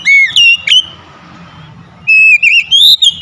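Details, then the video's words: Household-kept Oriental magpie-robin song used as therapy for a bird that stopped singing: loud, clear whistled phrases, a quiet gap with low background hum, then a rising run of warbled whistles. "Kacer rumahan macet bunyi langsung gacor"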